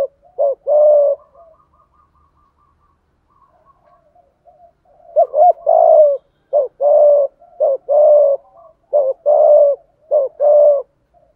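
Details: Spotted dove performing a full 'giọng thổ' song with 'thúc gù' coos: two opening phrases, a faint soft trill, then a steady series of paired hoots, a short note before each longer low coo, about once per second.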